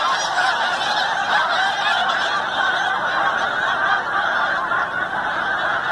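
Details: Many snow geese arriving for the night at Forsythe NWR, New Jersey, in the pre-Christmas season. A continuous wall of high, barking honks overlaps without pause for six seconds, and no other sounds stand out.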